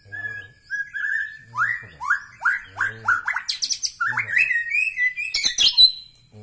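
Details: Medan Bahorok white-rumped shama song: a held whistle, then a string of swooping slurred notes, ending in rapid chattering trills and sharp high notes, with a low hum beneath.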